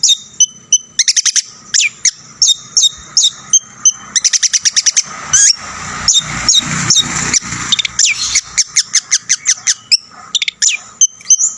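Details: Long-tailed shrike song stuffed with imitations, played to agitate rival shrikes: high whistles alternating with rapid staccato rattles and tight bursts of clicking notes, repeated throughout.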